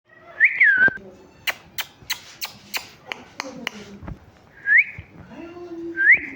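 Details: Talking parrot chirping: a rising whistled chirp, then a falling one, a run of sharp clicks and taps, and two more short upward-sweeping whistles at the end.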